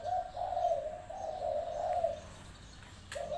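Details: Spotted dove with a fine voice, calling as a decoy near a trap pen: a long run of low, warm, slightly wavering coos, then a brief silence and the start of another coo.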